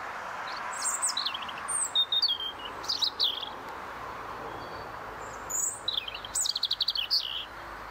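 A European robin sings short, high, thin phrases of tinkling notes and quick trills, separated by brief pauses, over a steady background hiss.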